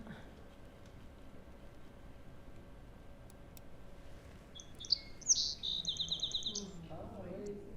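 Song Sparrow: a few bright, high introductory notes, then a quick, even trill. Quiet room hum precedes it and a faint voice follows.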